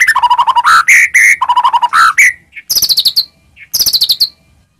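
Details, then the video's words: Persistently singing white-rumped shama, a lure to rouse other shamas; rapid stuttering low chatter alternating with bright whistled notes, then brief high trilled bursts with short gaps between. "murai batu gacor, AMPUH buat pancingan murai batu agar bunyi"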